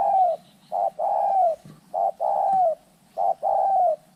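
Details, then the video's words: Spotted doves fighting, giving deep cooing calls: a short coo followed by a longer, slightly falling drawn-out coo, the pair of notes repeated three times about every 1.3 seconds over a faint low hum. "เสียงนกเขาใหญ่ ต่อสู้กัน"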